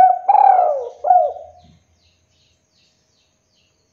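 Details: Spotted dove lure call meant to bring rival birds to call back: the end of a cooing phrase with a long falling coo and a short final hoot, then quiet.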